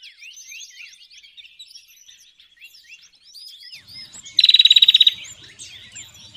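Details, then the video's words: Bar-winged prinia lure sound used for trapping birds: a loud, fast, even rattle of about a dozen notes bursts out after several seconds of faint, high twittering chatter from other small birds. "suara pikat burung cigun ciblek"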